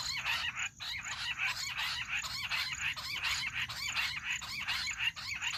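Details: Bush quail voice, a hunting call recording: a rapid, rasping stream of short repeated notes forms an unbroken chattering chorus, with brief dips and a faint high steady tone in the background.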